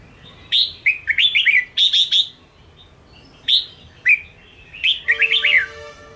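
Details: Caged red-whiskered bulbul song used to train and provoke other bulbuls: bursts of clear, lilting whistled notes in quick groups, pauses between phrases, ending with a rapid warbling run against a faint steady hum.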